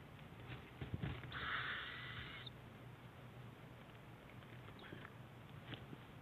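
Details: Owlet begging while the mother owl brings breakfast to her two young at 7 a.m. in March; one loud drawn-out rasping hiss lasting about a second, fainter rasps later, steady low hum beneath.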